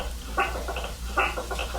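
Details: European (common) starling parents nesting in a bathroom fan vent in Alabama talk to their nestlings: muffled, raspy chattering calls in two short bursts about a second apart, recorded indoors over a steady low hum.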